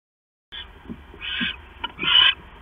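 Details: Owl at night, 10:52 PM on September 6, 2015, as the male brings a mouse to the female; a few harsh, breathy hissing bursts of uneven length, the last one loudest, with faint low rustling between them.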